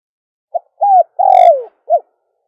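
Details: Dove call for attracting doves: a brief soft note, then a rounded arched coo, a long coo gliding down, and a short last coo. The tones are mellow and low, and nothing else is heard.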